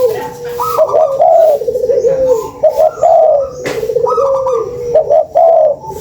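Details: Lure recording of a spotted dove cooing steadily: a low hum runs into repeated wavering, hollow coo phrases, with two phrase groups in quick succession and faint background noise.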